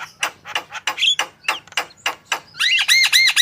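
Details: Javan myna in full, active song, played to prompt other birds to sing: harsh rasping bursts repeated about three times a second, then a run of clear, ringing, arched whistled notes.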